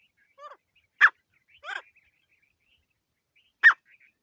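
Grey francolin giving four loud, harsh, ringing notes at uneven spacing over four seconds, with quiet pauses between.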